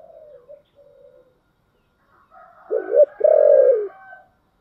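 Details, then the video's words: Spotted dove cooing in the 'giọng thổ' song style: soft low coos at first, then after a pause a loud two-part phrase, a short throaty note followed by a longer drawn-out coo that fades away. "cu gáy giọng thổ"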